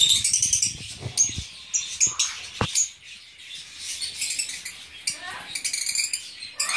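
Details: Fischer's lovebirds kept as a captive breeding group in blue and violet colour forms, giving thin, very high-pitched chirps and twitters in quick runs, interrupted by a few sharp knocks or cage bangs.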